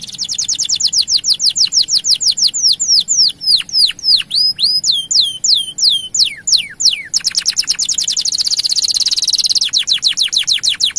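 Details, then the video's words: Long 'gacor' song of a male canary used to stimulate other males to sing: quick descending whistled notes in fast runs, steep downswept slurs, then a dense rapid buzzy trill. "Asli Gacor Panjang Bikin Menaikan Birahi Kenari Jantan Untuk Buka Suara"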